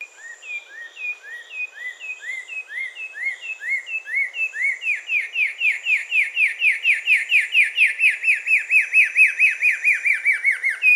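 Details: Carmiol's tanager song: a long run of short upslurred whistled notes, about two per second, growing louder and faster into a steady rhythmic series of sweeping chips.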